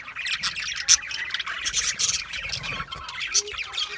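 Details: Group of budgerigars chirping, with sharp high squawks standing out from a bed of soft overlapping twitters, several bright accents spaced through the clip.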